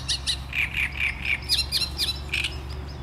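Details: Great reed warbler giving loud, harsh, croaking notes repeated about four times a second, grating syllables alternating with higher squeaky ones, over a steady low background hum.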